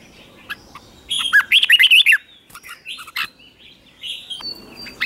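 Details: Red-whiskered bulbul at morning song training for competition: one quick phrase of about six rolling, up-and-down notes, surrounded by scattered sharp chips and other bird twitters.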